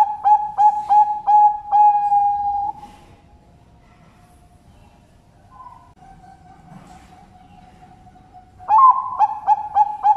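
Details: Zebra dove kept at a bird farm in Sidoarjo, East Java, Indonesia, singing loud pulsed, mellow cooing notes. A quiet stretch with faint soft coos follows before the rhythmic cooing phrase starts again.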